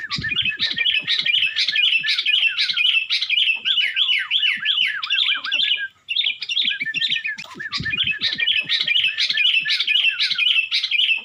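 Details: Sooty-headed bulbul from Tulungagung, East Java, singing persistently in the loud 'Nggaruda' style: rapid, busy runs of bright whistled and warbled notes, about two per second, with a short pause near six seconds and faint low knocks beneath.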